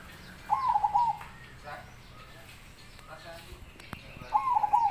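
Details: Zebra dove with a big voice giving two short, pulsed cooing phrases about four seconds apart, each a stuttering burst of notes. Faint human voices and small knocks are heard between the phrases.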